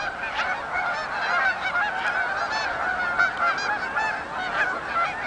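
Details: Flock of Canada geese flying in at Oak Hammock Marsh and Fort Whyte, clear nasal two-note honks tumbling over each other in a continuous chorus, no other sounds.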